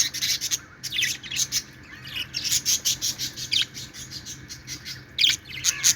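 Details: Happy, playful budgies chatter in busy runs of sharp, high chirps and raspy warbling, pausing briefly before new bursts, over a steady faint hum.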